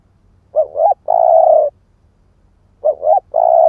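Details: Lure call of a spotted dove of the 'ức chẻ' type: a double short coo then a long, even, hollow coo, with the phrase repeated after a two-second pause.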